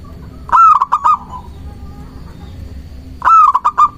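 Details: Local zebra dove singing to lure doves and provoke rivals: two loud bursts of rapid clipped coos about three seconds apart, each a quick run of four ringing notes, with quiet background hum between.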